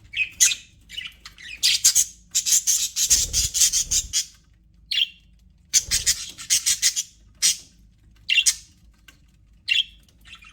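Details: Chattering budgerigars in an aviary, called happy: long runs of harsh, buzzy squawks and chirps rattle on for a second or two at a time, with isolated sharp chirps scattered between the bursts.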